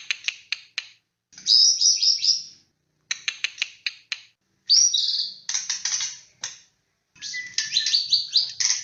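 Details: White-rumped shama, a very vocal bird singing on a lure recording: quick dry clicking ticks alternate with loud, harsh buzzy and rattling phrases, repeated in bouts about every three seconds.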